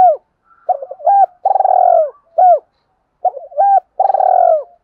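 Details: Spotted dove in a fast "kích bổi" cooing style meant to provoke rival males; two phrases each of a short coo, a wavering double note and a long drawn coo falling at its end, a silent gap between.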